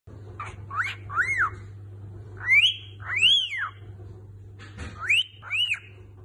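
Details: A pet cockatiel whistles a learned song tune: clear, arching notes sweeping up and down, in three short phrases about two seconds apart, over a steady low hum.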